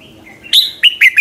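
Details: Red-whiskered bulbul in morning song, played as a lure: a short burst of four loud, downward-slurred whistles following a faint thin note.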